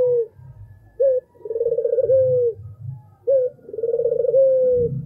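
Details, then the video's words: White albino Barbary dove cooing: a short rising note, a pause, then a long pulsing coo ending in a smooth falling tail, given twice over low thumps. "SUARA TAJAM !!! BURUNG PUTER ALBINO ll SUARA BURUNG PUTER MERDU"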